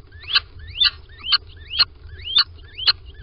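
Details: Little owl calling at its nest box in Sprundel, 13 February 2020, during the morning return of both birds; six short squeaky notes glide steeply upward, spaced about half a second apart, over a low rumble.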